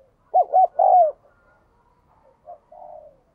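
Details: Spotted dove used as a decoy bird, kept to stir other doves into cooing: two quick low hooting coos run into a longer, smoothly falling coo, then softer, fainter coos trail off in a quiet background.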